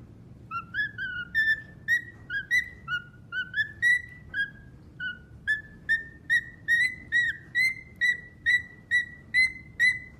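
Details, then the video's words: Pet cockatiel whistling a melody of clear, evenly spaced notes, about two per second, each with a quick upward or downward bend, the phrase gradually climbing in pitch over ten seconds. "Singatiel 3"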